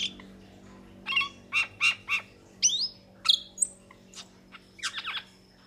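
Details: A metallic starling's mixed phrase: a few harsh, buzzy bursts followed by thin rising whistles and sharp chirps, fading toward the end.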